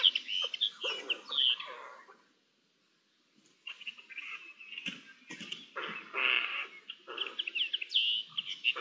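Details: Eurasian jays communicating with each other, 10 May 2021, in a mixed stream of scratchy chatter, squeaks and harsh rasps, with a silent gap of about a second midway before the varied calling resumes.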